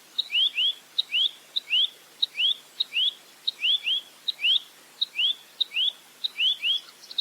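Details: Velvet-fronted nuthatch in a clear 'full roll tembak' tutor recording: a sharp high tick, then a quick upward-sweeping whistled note, often doubled, repeated about twice a second over a quiet hiss.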